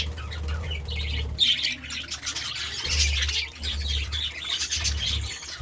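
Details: Budgerigars chirping in the morning: overlapping high twitters and squeaky warbles in waves, with a low droning hum throughout.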